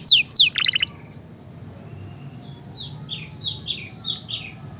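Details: Canary song for stimulating lazy canaries: loud steep downslurred whistles and a short rapid trill at the start, then softer scattered chirps over light background hum.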